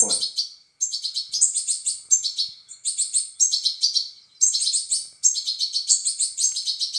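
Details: European goldfinch chicks being fed, begging in dense, rapid bursts of high, scratchy chirps that come in quick overlapping runs separated by short pauses, with a brief human voice at the very start.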